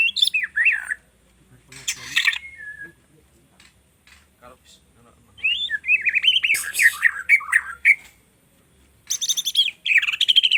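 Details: Learning white-rumped shama delivers scattered bursts of warbled, squawky and whistled notes, some sliding downward, separated by several seconds of near silence, with faint low background hum.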